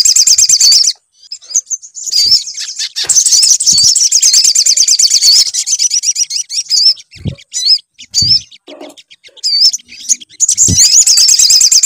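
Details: Sogon, a sunbird, singing on a lure track meant to coax another bird into song. Long runs of high, fast trilled twittering are broken by separate upslurred chirps and occasional low thumps.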